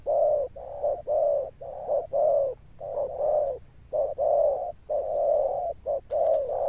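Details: A spotted dove keeps up a steady run of low, booming coos described as thunder-toned, each note rounded and hollow, spaced about once a second with brief gaps and a faint click near the end.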